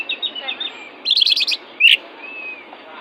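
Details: Fierce oriental magpie-robin singing, used as a tutor recording to fire up less vigorous magpie-robins: short whistled notes, then a buzzy rapid chatter and a sharp rising note, over a steady low hiss.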